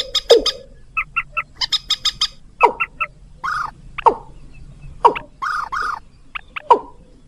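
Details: Rail lure calls, used to attract rails and crakes: short nasal notes in quick threes, mixed with loud, harsh squawks that drop sharply in pitch, roughly one each second.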